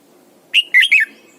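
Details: Red-whiskered bulbul, a caged decoy bird in morning song training: a short loud phrase of three whistled notes, the last slurred and dropping, over quiet background.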